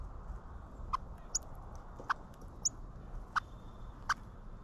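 A cardinal gives sharp, metallic chip notes, about six in under five seconds at an uneven pace, over a steady low background rumble.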